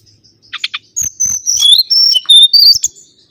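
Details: Mangrove whistler song used as a lure recording: a few sharp clicking notes, then a run of loud, clear whistles sliding up and down between high and middle pitches, with thin very high accents.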